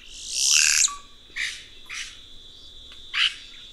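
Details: Red-rumped cacique (Cacicus haemorrhous) opens with a loud rushing, hissing phrase and a short whistled drop, followed by three spaced harsh chattering notes; a steady high-pitched hum runs throughout.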